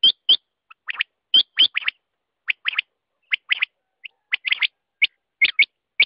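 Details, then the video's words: Quail calling with crisp, high, sharply clipped notes grouped in twos and threes, repeated steadily with brief pauses between groups. "Batair ka awaz"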